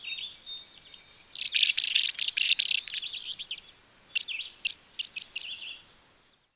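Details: Spizella sparrow song: dense, high-pitched chirps and twittering trills overlapping over a long, thin, steady whistled tone, easing into a run of sharp, rapid separate notes that fade toward the end.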